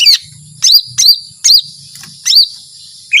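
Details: High, sharp chirps from a lesser green leafbird singing in 'tembakan panjang' style. Each note rises and falls, and the notes are spaced about half a second to a second apart, with quiet gaps between them.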